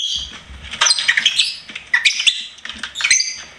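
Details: Pet lovebird singing and chirping: a run of sharp, squeaky chirps and short screechy notes, bursts bunched around the middle and end with brief pauses between.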